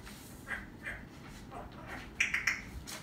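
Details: Parrot talk: soft, breathy, speech-like syllables, then three quick high squeaky chirps in rapid succession, over faint background hum.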